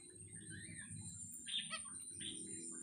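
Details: A pair of Australian Zebra finches kept in a minimalist aviary furnished with plastic plants, at night. Brief nasal, harmonic-rich calls come mid-clip and again soon after, over a steady high-pitched drone and low background rumble.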